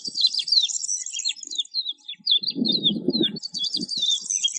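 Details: Lark, described as a resident, nesting desert bird, pours out a continuous high, rapid warbling song of twittering and trilled notes, with a burst of low rumbling noise midway.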